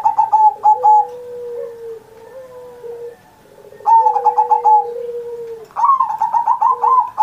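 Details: Pet zebra dove singing a master song for coaxing other doves: phrases of quick, pulsed coos alternating with long low smooth coos from another bird, ending in a bright, rapid stuttering burst.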